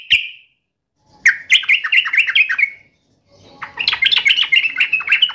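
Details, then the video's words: Sooty-headed bulbul in fighting mode, singing agitated, rapid phrases of bubbly rising-and-falling whistles in two bursts split by a short silence. "trucukan gacor FULL TARUNG NGAMUK"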